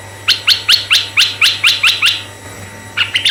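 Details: Red-eyed bulbul singing vigorously, a recording used as a lure for other bulbuls, both males and females: a quick run of eight sharp, slurred chirps at about four per second, a short pause, then three faster notes, over a steady low hum.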